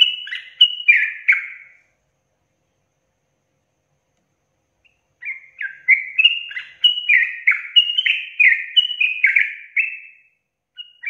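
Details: Sooty-headed bulbul in lively, long rapid 'ropel' song, said to spur other bulbuls into quick song. A short burst of bubbly, slurred, descending notes, a pause, then a five-second run of fast repeated chirping phrases.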